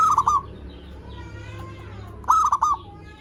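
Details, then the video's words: Lure song of a zebra dove, played to get other zebra doves singing: two short stuttering cooing phrases of quick clipped notes, about two seconds apart, with faint drawn-out calls in the gap. "Suara Perkutut Pikat Gacor AMPUH pancingan SEMUA BURUNG PERKUTUT BAHAN AGAR SEMAKIN BUNYI GACOR"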